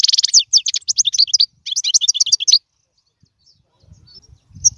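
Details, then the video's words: A European goldfinch sings, a recording meant to train young birds: about two and a half seconds of fast, bright twittering phrases with trilled notes, then near silence with faint low rustling. "اسمع المقنين واعطي رايك فيه,افضل تغريد لتعليم الفراخ"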